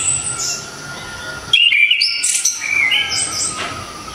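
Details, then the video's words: Orange-headed thrush from Java, a loud, sharp, clear songster used for tutoring other songbirds; after a faint start, a burst of bright whistled notes jumping between high and very high pitches, with a thin steady tone underneath. "ANIS KEMBANG‼️SANG Legenda TANAH JAWA ‼️TEMBAKAN KERAAS‼️"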